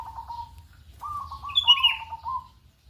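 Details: Lure recording of a local zebra dove in the morning: a short trilled coo, then a longer wavering coo overlapped by bright high chirps from another bird, against a quiet background.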